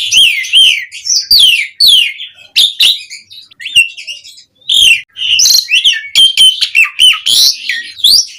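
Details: Asian pied starling in lively mompa style, a lure to get household birds singing: fast, repeated, down-slurred whistles and sharp chirps, interspersed with scratchy rattles and short gaps.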